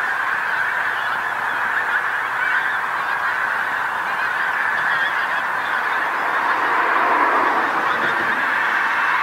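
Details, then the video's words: Large flock of pink-footed geese coming down onto a field next to the coast road in North Norfolk, England, at sunset; thick unbroken babble of many honking calls, swelling slightly louder toward the end. "Pink-footed Geese North Norfolk"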